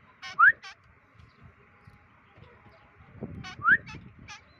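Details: Free-flight training, day 25, of a white-breasted woodswallow (kekep): two bursts, each a bright rising slur flanked by harsh buzzy notes, separated by about three seconds of low rumble.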